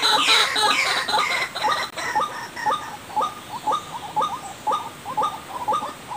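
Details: White-breasted waterhen lure call: a loud burst of harsh, overlapping notes opens, then settles into short croaking notes repeated about twice a second in an even rhythm.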